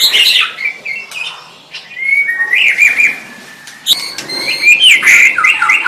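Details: White-rumped shama song meant to help other kept shamas learn, with clear whistled notes, fast trilled bursts and sharp clicks, a quieter stretch, then a loud flurry of mixed high phrases.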